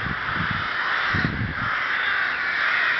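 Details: Rook colony at Ptačí ostrovy, Chrudim, Czech Republic, recorded 30 May 2011: continuous rasping cawing from many birds at once, with a few low dull thumps near the start.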